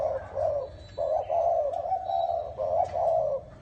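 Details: Spotted dove with the bronze-bell (chuông đồng) voice style, cooing to stir up males and females: low, rounded coos in quick succession, each a soft throaty note, five or six notes in a steady run.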